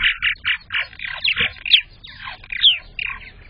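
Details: Purple martin calls from a nest site on May 15th, 2022, when the season's first egg was laid. Burbling, raspy chirps come in short bursts about twice a second, with a few sharp, higher squeaks between them.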